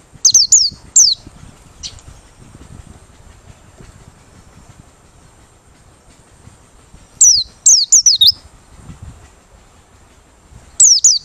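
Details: Open-beak song of a Merapi white-eye used for luring: short bursts of three or four thin, high, down-slurred whistles with little upturns, spaced by long quiet stretches of about six seconds.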